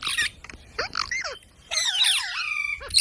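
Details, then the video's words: Pet parrot, apparently talking, with squeaky squawks and bending, harmonic whistled phrases that sweep up and down in short bursts separated by brief pauses, in a small indoor room. "Parrot Sounds"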